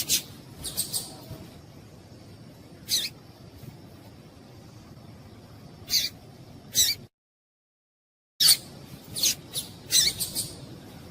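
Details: Calling female papa-capim seedeater, meant to stimulate males to sing; scattered thin high chips with long gaps, ending in a livelier cluster of several quick notes over faint background noise.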